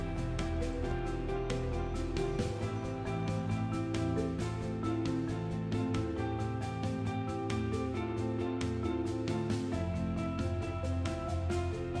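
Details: Steady instrumental music with a strong low beat and sustained tones fills the whole stretch, with no animal voices audible.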